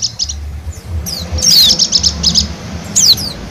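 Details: High-pitched song of a wild Bali white-eye, used as a lure for wild birds: scattered short chirps, descending whistled sweeps and a quick series of bright repeated notes over low background hum.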